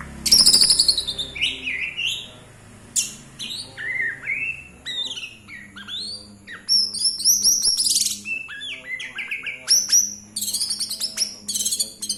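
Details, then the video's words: Lure song of a white-rumped shama (murai), meant to get a bird singing quickly: varied loud whistles, high squeaky bursts, downslurred notes and rapid chattering phrases separated by short pauses. "pancingan murai agar cepat bunyi"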